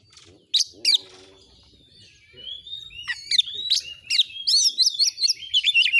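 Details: Oriental magpie-robin, kept as a tutor bird, in a clear recording of lively varied song: a pair of sharp high notes, a quiet pause, then a fast run of whistled, trilled and chattering phrases.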